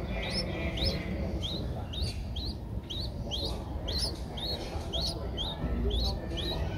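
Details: Streak-eared Bulbul nestling, 11 days old, Ubon Ratchathani, Thailand, 13 April 2023; eyes opened at 7 days. Short rising squeaky notes repeated roughly twice a second throughout, over steady low rumbling background noise.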